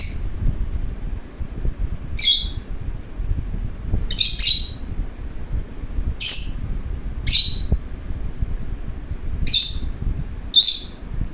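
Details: Pet lovebird that wants to play. It gives sharp, high, squeaky chirps in short bursts, seven of them spaced one to two seconds apart, over quiet indoor background hiss.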